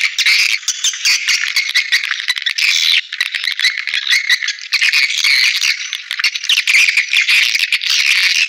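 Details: Swiftlets calling, a playback used to bring them to bird houses: a thick, rasping chorus of overlapping high chirps and rattles with only momentary breaks.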